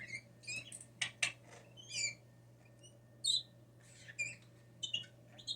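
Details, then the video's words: Hand-raised blue jay, fallen from its nest as a chick and kept indoors, which mimics sneezes and spoken phrases: scattered high squeaky chirps and short whistled notes, with two sharp noisy bursts near the second second, over a steady low household hum. "This is what happens when you sneeze in front of a blue jay"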